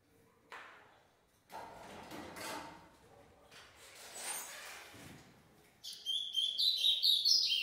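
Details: Song of a captive ultramarine grosbeak, from an adult male kept with a six-month-old son: quick dense sequence of high whistled notes in the last two seconds, following scattered soft bumps and rustles.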